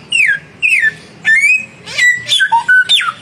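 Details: Song duel between a young samyong bird and a mature one. Long descending whistles come first, then rising slurs and short high whistled notes, clear and loud with short pauses.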